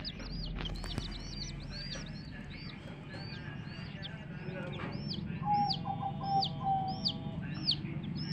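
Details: Baby chicks chirping, kept with a hen, giving many high, downslurred peeps in a busy overlapping chorus, with a low hum and a brief voice in the background.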